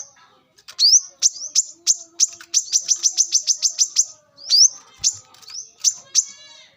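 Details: Brown-throated sunbird singing in the wild, recorded to lure birds: dense rapid series of sharp high chips with bright upward-sweeping whistled notes at the start and near the end.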